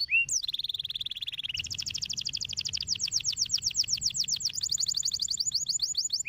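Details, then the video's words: Canary song meant to stimulate singing: a brief swoop, a steady mid-pitched trill, then a long fast high rolling trill of repeated slurred notes. "Não demorou muito tempo para fazer os canários cantarem"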